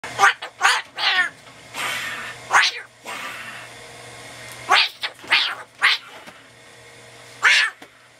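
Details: Umbrella cockatoo kept as a house guest, playing and having fun indoors; loud harsh screeches in short bursts, some with a wavering, rasping quality, with quieter people's voices between them.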